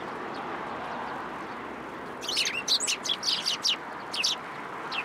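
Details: Sparrows coming to a post to get food at a Tenmangu shrine on 2 January 2023: a burst of short, sharp chirps starting midway, bunched in quick twos and threes, over a steady background hiss.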